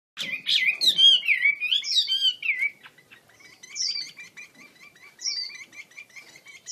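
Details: Chinese hwamei of the wambi kembang type, singing vigorously while spreading its wings: loud, rich, sliding whistled phrases for about three seconds, then softer, scattered high notes and short twitters.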